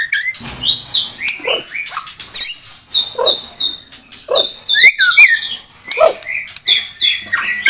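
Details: A blorok white-rumped shama delivers a busy, fast-changing song of high whistles, buzzy trills and sharp chips, punctuated by lower husky squawks at irregular intervals.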